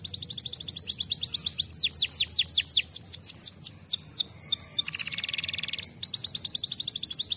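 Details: Canary singing an energetic rolling song, rapid rows of high descending swoops repeated several times a second, a brief harsh buzzy burst midway, then the fast trill resumes.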